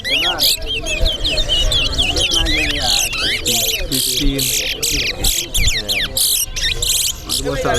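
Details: Chestnut-bellied seed finch (towa towa) singing during a contest at Sheriff Street bird ground. A quick, varied warble of looping whistles continues steadily while spectators talk and a voice counts songs.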